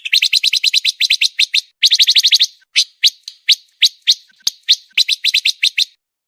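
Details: Master song of pancawarna for competition birds, fast and close-set: two quick volleys of high chirps, a slower spaced series, then another rapid flurry before falling quiet.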